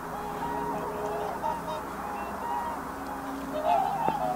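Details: Whooper swans calling with drawn-out bugling notes in a fairly quiet chorus, ending in a sharper burst of honks and a click.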